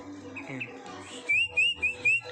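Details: Long-tailed shrike in lively song: four clear, loud whistled notes in quick succession, each sliding slightly upward then level, after softer warbled sounds and with a man speaking in the background.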